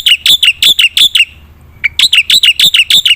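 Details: Black-winged myna in energetic song, meant to prompt silent birds to sing: a quick run of bright, clipped high notes, then a pause and a thin whistle before another rapid burst of the same metallic notes.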